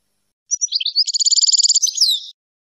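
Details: European goldfinch song recorded in high quality as a tutor for young goldfinches and hybrids: a single bright phrase of a few tinkling notes, then a fast, even trill of about fifteen clipped twittering notes ending in a buzzy slurred flourish.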